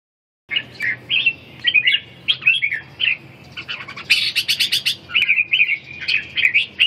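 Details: Red-whiskered bulbul singing at a bird singing competition, round 4, in Ha Dong, Vietnam: bright warbled phrases of short rising and falling whistles, with bursts of sharp chattering notes in the middle and several birds audible.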